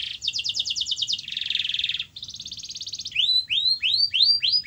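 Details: A canary singing to draw song from a quiet canary: a rapid high rattling trill, a lower buzzy roll, another fine trill, then a string of rising upslurred whistles repeated about twice a second.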